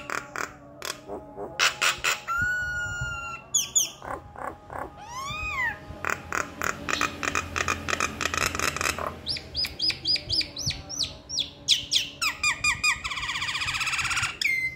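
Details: Nias hill myna in lively full song: loud varied whistles, upslurred and downslurred notes, clipped harsh bursts and rapid stuttering series, delivered in quick succession with barely a pause across the passage.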